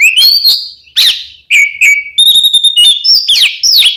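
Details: Oriental magpie-robin 'kembar ngeplong' song used as a lure to prompt birds to sing: clear ringing whistles, some long and level, some swooping down, between sharp chirped notes and a brief pause.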